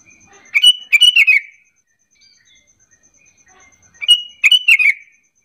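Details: Sooty-headed bulbul lure call used to coax other bulbuls into duetting replies; two bubbly phrases of three to four descending chirps about three seconds apart, with faint high ticking between.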